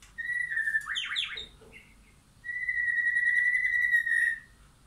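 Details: White-rumped shama in a backyard forest with wild and caged birds; a clear whistle breaks into quick tumbling notes, a short pause, then a long level whistle.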